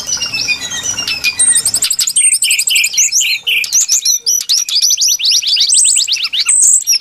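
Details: Brown-chested jungle flycatcher lure song, opening with faint descending whistles, then a lively run of rapid, tightly repeated high chips and short trills that continues without pause.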